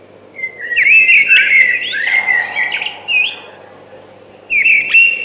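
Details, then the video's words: Loud warbling phrase from a thrush, full of fluty slurred whistles and sharp clicks, then a pause and the start of another phrase near the end. "Beautiful Thrush Singing"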